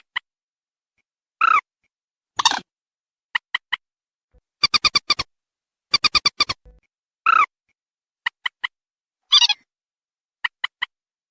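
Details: Waterhen lure call mixing drawn-out nasal honks with rapid bursts of five or six clipped pulses and scattered triplets of sharp ticks. Each burst is well separated by quiet gaps.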